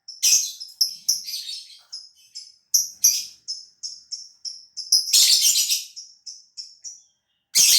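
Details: Caged competition-quality lovebird from Gresik, East Java, Indonesia, singing its long ngekek trill as the cage cover is opened: rapid series of high, thin chirps repeated in runs, broken by harsh, scratchy rattling bursts.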